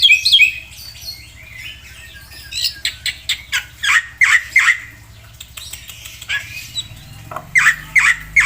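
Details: Black-winged myna song full of filler phrases: spaced harsh squawks and chattering bursts, with clusters of sharp, bright whistles near the middle and end, over steady low background noise.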